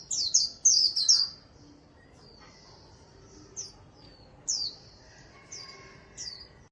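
A white-eye sings in quick, high, sweet chirps, first a dense burst of downslurred notes, then scattered single high chips with pauses between.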